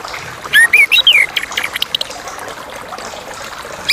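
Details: A brief Chestnut-capped thrush phrase: three or four loud whistled notes rising then sliding down in quick succession, followed by softer scattered chips and a final high note, over a steady soft hiss.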